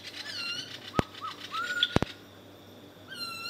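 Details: A common green magpie in Khao Yai National Park, Thailand, gives clear, slurred whistles that rise and fall, with a few sharp knocks or wing-flaps between calls.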